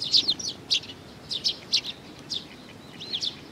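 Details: Several sparrows arriving for food on 15 May 2019 give a loose series of about a dozen sharp, high chirps, some paired in quick doublets, with brief gaps between bursts and a soft low rumble beneath.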